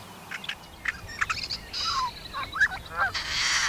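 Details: A Yellow-headed Blackbird sings at a local wetland in May while displaying, tilting its head and squatting: a few dry clicks and short notes, slurred squeaky whistles, then a long harsh grinding buzz like a rusty farm gate.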